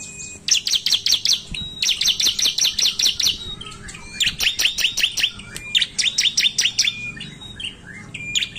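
Bar-winged Prinia delivering fast bursts of six to eight sharp, high chipping notes, each run separated by a thin level whistle; faint background hum.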